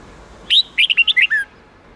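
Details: Red-whiskered bulbul song used for training young birds to learn a wild-style song with 8-9-10 note phrases: one rising whistle, then a quick string of six clear warbled notes falling toward the end, about one second long.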